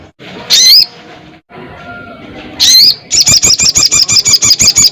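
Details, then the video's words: Crested jay calling a rival with two loud upslurred whistles separated by quiet, then a strong, regular rattle of about ten sharp pulses per second. "SUARA BURUNG SOGON GACOR KERAS"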